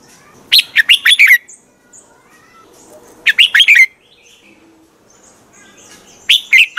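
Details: A red-whiskered bulbul's morning training song: three quick phrases of lively, warbled whistles, roughly every three seconds, with faint twittering in the background.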